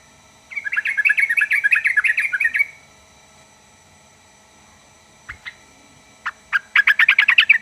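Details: Sooty-headed bulbul singing a fast, bubbling run of notes for about two seconds. A pause follows with a few scattered clicks, then a new rapid chattering phrase begins. Its song reportedly prompts other birds of this kind to reply.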